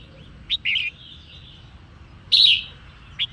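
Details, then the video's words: Female red-whiskered bulbul song used to rouse males, heard as a few short, bright chirps and one louder warbled note with a brief trailing whistle. "Chim Chào Mào Mái Hót Kích Trống"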